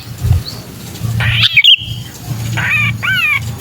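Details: Sooty-headed bulbul in distress, a lure sound for bulbuls that are hard to attract: a loud harsh squawk burst, a short pause, then two nasal, down-arching cries over a low hum.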